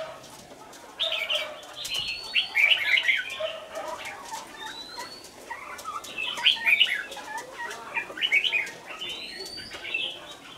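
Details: Red-whiskered bulbul held as a caged decoy, from Lương Sơn. It sings bursts of lively, twittering, warbled notes in two main bouts, with faint thin whistles and constant clicking noise behind.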